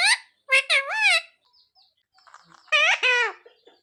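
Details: Pet parrot learning to say "mummy papa" voices two short clicks and a two-part nasal, speech-like phrase, then after a quiet gap a longer wavering syllable.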